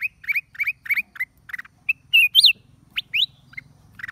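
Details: Wild Black-crested bulbul, Chaiya, 29/12/23: rapid chirped notes followed by louder upslurred whistles and sharp rising sweeps, over a faint low mechanical hum.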